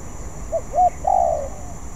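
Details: Single phrase from a spotted dove still learning to sing: two brief low coos, then one longer, slightly falling coo.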